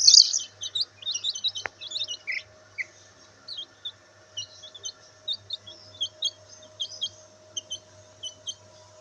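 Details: Black bantam chicks basking in sunlight give high, quick peeping chirps in short overlapping bursts throughout, with a faint steady hum in the background.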